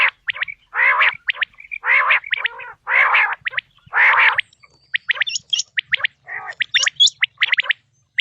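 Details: Quail voice offered for hunting in the 2026 season. Harsh, gargled bursts come roughly once a second, then shift into a scatter of thin, high, quick chirps.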